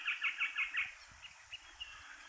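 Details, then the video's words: One of three eastern rosellas feeding on seeds from the cones of an alder tree at Kapiti, New Zealand, gives a quick run of five bright, bell-like piping notes in under a second, then two fainter single notes after a pause. "Eastern Rosella / Kākā uhi whero with Bird Song"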